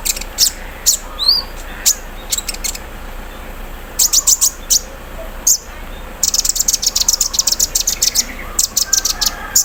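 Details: Morning song of a sunbird set out in the dew, its song described as carrying an embroidery-machine imitation and a 'cerrr' trill: scattered high ticks, then long rapid machine-like chattering runs of piercing clicks.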